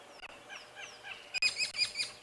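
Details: At sunrise on 13 February 2022, on safari, a woodland kingfisher alarm-calls, possibly at the vehicle, an owl, a snake or a leopard: sharp, high downslurred notes, then four harsh, rasping calls about every fifth of a second.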